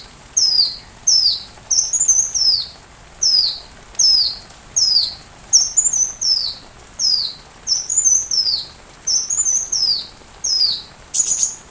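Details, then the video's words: Sunbird song recorded to teach a white-rumped shama: a steady series of high, sharply falling whistled phrases, some with a brief rising lead-in, delivered roughly every second, with little background noise. "Rajanya Isian Kolibri"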